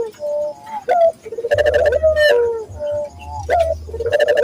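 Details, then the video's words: Lure recording of a Barbary dove for training local doves to become frequent cooers: steady mid-pitched coos in two phrases, each followed by a long low rolling hum, with a brief sharp rasping note in the middle. "pancingan burung puter gacor, melatih burung puter lokal agar cepat gacor"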